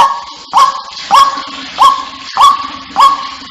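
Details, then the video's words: White-breasted waterhen lure call used to draw waterhens together: short, upslurred, nasal notes repeated steadily about every 0.6 seconds over a constant low electronic hum. "Suara panggil burung ruak-ruak, di jamin pasti ruak-ruaknya pada ngumpul"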